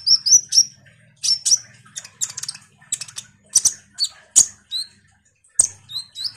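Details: Common iora in energetic song, played as a lure to make kolibri ninja birds answer: bursts of piercing high chirps, short trills and quick whistled slurs, some paired, delivered in uneven clusters with brief pauses.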